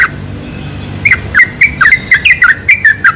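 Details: Sooty-headed bulbul lure for attracting bulbuls: after a short quiet start, a fast sequence of liquid, slurred chirps, several per second.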